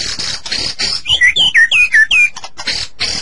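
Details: White-rumped shama song for prompting captive birds to sing: rasping buzzy bursts alternate with a quick run of five clear whistled notes, each slurring downward, before harsh bursts return.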